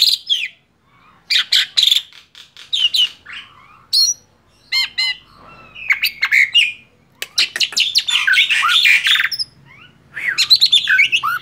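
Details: Tame male Black-winged starling in full, lively song, a varied medley of loud whistled slurs, harsh squawks and rapid chattering notes, delivered in bursts with short pauses between phrases.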